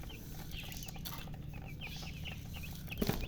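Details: Thirsty colour chicks of domestic chicken peeping for drinking water; shrill, falling chirps come in quick, uneven runs across the whole stretch, ending with a louder low knock-like sound, against a low steady hum.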